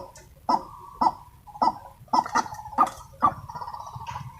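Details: White-breasted waterhen in the wild, excited during decoy trapping, repeats loud harsh honking notes roughly twice every two seconds, each a burst with a strong nasal tone, over a quiet background.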